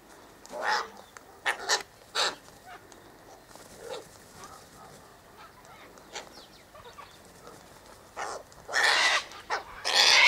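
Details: Sulphur-crested cockatoos feeding on seed mix by the eastern gate; scattered short rasping calls at first, then loud, prolonged, grating screeches build toward the end.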